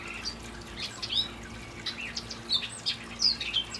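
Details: Evening song of a hooded oriole hidden in palm trees, singing on and on: a loose series of high, squeaky chips and brief slurred whistles, irregularly spaced, with a low steady hum underneath.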